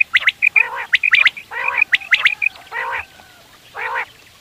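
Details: Quail in the morning, used for hunting: a fast run of paired whistled pips with nasal bursts between them. Two slower, drawn-out nasal notes follow, then quiet.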